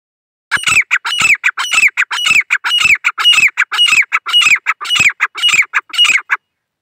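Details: Female grey francolin calling in Indian jungle, a dakhni type: harsh, ringing notes repeated rapidly in a steady rhythm, each phrase ending in a higher, sliding squeal, about eleven phrases in six seconds.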